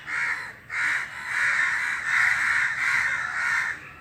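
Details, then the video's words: Several crows sitting together in a tree and calling: loud, hoarse caws merge into long drawn-out bursts, roughly five over four seconds, separated by short dips, with overlapping voices. "A group of crows sitting on a tree making sounds together"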